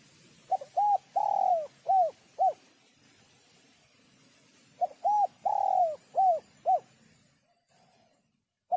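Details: Cooing of a spotted dove, played to stimulate males and females; two phrases of soft coos, each with a longer swelling note among the short ones, separated by a quiet gap of about two seconds.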